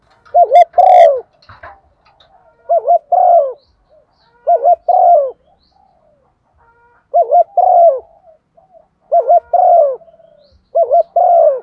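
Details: Lure recording of a female spotted dove in the 'thúc gù' calling style: hollow, mellow coos in paired phrases, a rapid wavering doublet followed by a drawn-out descending note, repeated about every two seconds, with a brief scrape at the start.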